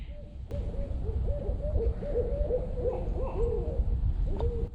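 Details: Barred owls heard while camping, likely a lower-pitched male and possibly a female calling to each other close by in quiet, still weather: a quick run of about nine mellow hoots, some slightly rising, ending in a longer hoot, over low rumble.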